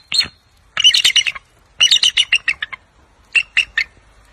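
A bald eagle gives high, thin chattering calls: one sharp note, then three quick bursts of piping notes that step down in pitch, with a quiet background.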